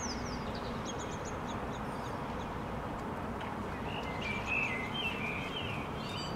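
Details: One Common Blackbird sings from a rooftop in Helsinki, Finland, May 2013: a mellow warbled phrase midway, followed by thin high twittering, with other small birds chirping earlier and constant city traffic noise underneath.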